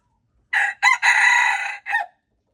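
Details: Wild red junglefowl rooster crowing, recorded February 26, 2025: one clipped crow of four parts, a short burst, a second brief note, a long sustained harsh middle phrase and a short falling final note, in otherwise silent surroundings.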